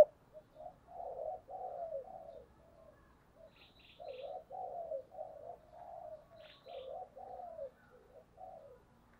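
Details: Spotted dove giving a steady run of low coos to lure wild doves, in an intense coo style. Rounded, rolling phrases follow each other with short gaps, and faint high chirps from another bird come in twice.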